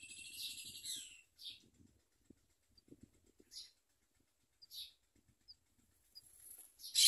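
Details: Common myna baby birds being fed by their mother, nipping at her; a rasping chick burst opens, then scattered brief hissy notes and clicks, ending in a loud harsh outburst.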